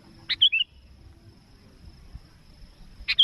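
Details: Sooty-headed bulbul calling vigorously to a rival, a recording used for trapping: a sharp clicking note followed by two short whistled, slurred notes, then silence, then the clicks and a whistle starting again.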